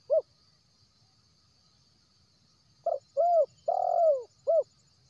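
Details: Lure call of a wild spotted dove for drawing in birds: a lone soft coo, a pause, then a quick run of four coos. The longest is drawn out and gently falling. A thin insect whine sounds high in the background.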